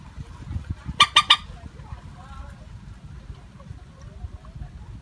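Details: Moorhen lure call for net trapping, without tonal variation: one quick run of three harsh, clipped notes against a noisy, rumbling background.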